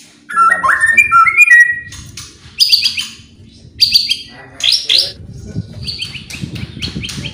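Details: White-rumped shama song played to provoke other birds into singing: rising whistled notes, then bursts of sharp high downward-sweeping notes in clusters, over a low background rumble.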